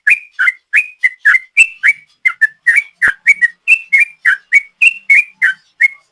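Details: Rapid ropel song of a yellow-vented bulbul, used as a lure: a long, unbroken string of bright, sharp whistled notes, each rising then dipping, delivered about three per second.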